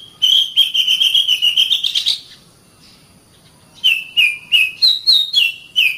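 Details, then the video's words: Oriental magpie-robin song for training caged birds: a rapid run of short whistles gradually rising in pitch, a quiet gap, then a series of separate clear whistled notes stepping up and down. "SUARA BURUNG - Masteran Terbaik Kacer"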